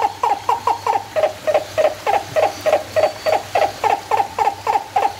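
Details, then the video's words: Turaco at San Diego Zoo Safari Park, recorded 11/10/2020, giving a fast run of about seventeen hoarse, gulping low notes in five seconds, steady and slightly uneven in pitch, over a faint low hum. "Call of the Turaco"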